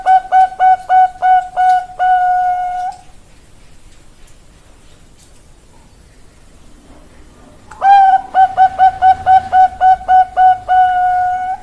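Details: Zebra dove, Bangkok perkutut: a quick series of short clipped coos ending in a longer note, a quiet gap of several seconds, then a second fast run of repeated coos closing with a held tone.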